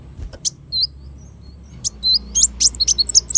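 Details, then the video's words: Kolibri wulung sunbird, a recording meant for tutoring songbirds: scattered high, thin chirps at first, then a quickening run of sharp, bright notes and short downslurred whistles near the end, over a faint low hum. "suara burung kolibri wulung"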